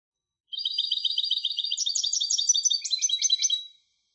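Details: A European goldfinch hybrid sings about three seconds of dense, high, fast twittering, with rapid repeated notes shifting in pattern and a slightly lower warble near the end. The background is clean and silent.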